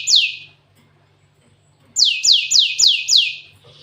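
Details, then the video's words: Cinereous tit singing a song filled with canary phrases: one loud high downward-sweeping note, a pause, then a run of five similar descending sweeps in quick succession. "Burung gLatek watu full isian kenari"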